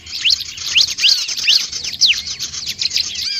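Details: Bar-winged prinia calls meant to attract other birds: a steady string of sharp, thin upswept chirps repeated about every half second over faint twittering.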